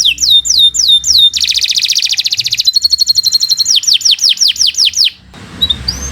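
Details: Canary used as a singing master for other birds: descending whistled swoops lead into a dense buzzing trill and a faster chipping series, then more downward swoops before the song fades to quiet.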